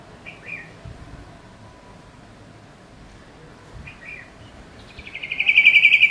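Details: Pet female red-whiskered bulbul, recorded in September 2018, which chirps at night with eyes mostly closed; two faint short notes, then a loud, high, rapidly pulsed run of hiccup-like chirps at the end.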